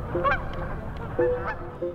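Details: Canada geese, hundreds gathered on a normally quiet pond on an unusually freezing winter day, honking, flapping and preening: a few short nasal honks, one at the start, another near mid-clip and a last at the end, over a murmur of the flock.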